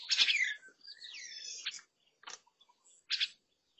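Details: Lesser necklaced laughingthrush visiting a garden fruit feeder, recorded 16 June 2022: a loud harsh burst followed by a wavering whistled phrase, then two short rasping bursts separated by pauses.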